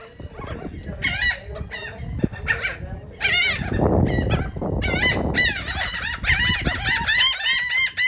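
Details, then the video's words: Seagulls squabbling over cake at Atlantic City, New Jersey: repeated harsh, laughing cries in dense overlapping bursts, several birds at once, with low background rumble and street noise. "Seagulls are eating Cake"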